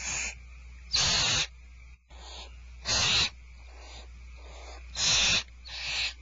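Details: Barn owls at Starr Ranch at feeding time, 1 February 2012, giving loud, harsh, breathy hisses about every two seconds, each half a second long, with softer rasping hisses in between.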